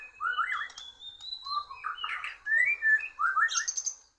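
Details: In a song contest with a Borneo bird, a white-rumped shama loses out. A thin high sustained whistle runs over rich, rolling warbled phrases, ending with a high buzzy burst.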